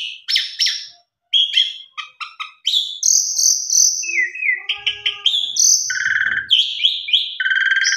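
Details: Asian pied starling in full, richly varied song used as a lure for starlings that have stopped singing: rapid run of whistled and buzzy notes, high chirps and lower rasping phrases, brief pause near the first second, then continuous bursts.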